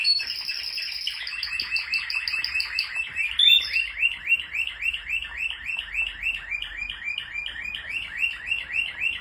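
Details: Several male Spanish Timbrado canaries singing: a fast, metallic rolling trill of rapidly repeated rising notes, about three or four per second, with high tinkling notes opening the phrase and a brief brighter interjection midway.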